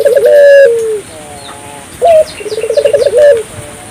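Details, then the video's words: A vigorously calling African collared dove, used to get local doves calling too: a long smooth coo sliding down, a pause, then a sharp rising note and a quick rolling trill, with light chirps of other birds. "suara burung puter gacor,merangsang burung puter lokal ikut gacor"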